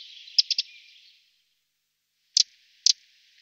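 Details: Eurasian wren giving calls or alarm calls: a quick cluster of three hard, dry ticks, then a pause and two more sharp double ticks, high-pitched and clicking, over a faint hiss.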